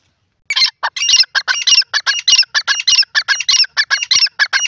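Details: Grey francolin, known locally as desi teetar, giving a rapid string of rasping, chattering notes, each short burst following the next with barely a gap across four seconds, loud and close, with quiet background.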